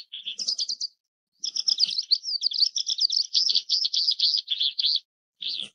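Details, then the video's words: Oriental skylark (Alauda gulgula) singing a fast, high, jangling stream of trills and buzzy twittered notes in two long bursts, with no other sounds. "小雲雀/Oriental Skylark"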